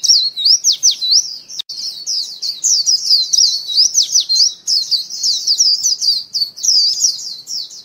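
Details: Lure song of a white-eye: an unbroken stream of shrill, rapid twittering with sharp downward flicks and wavering whistled notes, steady and loud throughout with no other sounds.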